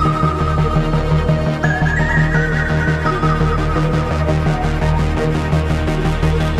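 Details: Electronic music with a steady beat and synth melody plays throughout, with no animal sounds.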